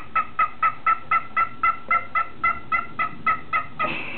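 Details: A male pet cockatiel whistles a rapid run of even, bright notes, trying to sing Jingle Bells.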